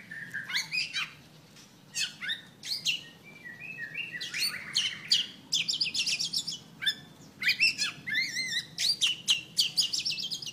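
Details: An albino male Oriental magpie-robin, tail fanned in a fighting display, sings a rich, varied run of clear whistles, slurred notes and harsh chattering phrases, delivered in quick bursts with short pauses.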